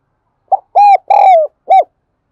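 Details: Spotted dove lure call: one complete cooing phrase, a short hoot, a level held coo, a longer falling coo and a single crisp closing note, in a quiet setting.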